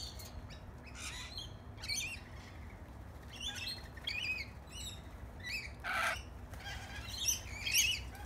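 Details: Lorikeets being hand fed bread crust in a backyard give harsh, screechy chattering calls in irregular bursts, several birds overlapping, over a low steady background hum.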